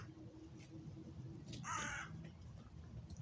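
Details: A lone crow on a winter day in January gives a single harsh, rasping caw over a low background rumble.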